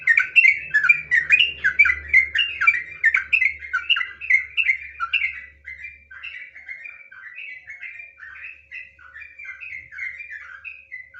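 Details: Sooty-headed bulbul in long ropel song used as pancingan: a loud, rapid cascade of whistled notes, with a low humming rumble underneath at first, gradually softening into quieter, steady whistled phrases.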